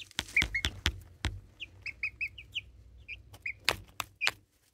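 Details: Baby chickens about four and a half weeks old, recorded close by on a phone, give short chirping peeps around a steady mid-high pitch, several in quick runs, mixed with sharp clicks and tapping knocks.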